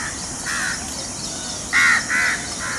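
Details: Peacocks displaying their feathers in front of a peahen in an open landscape. Harsh, nasal honks come in a short series, one faint, then two loud ones close together and a softer closing note, over a steady hiss of insects.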